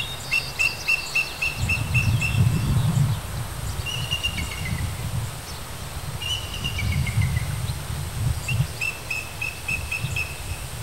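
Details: Bald eagle at a nest in Sidney, BC, Canada, on 23 June 2009, where three eaglets practise in-nest flights before fledging: runs of thin, high piping notes, some falling in pitch, in bursts every few seconds over a steady low rumble of wind.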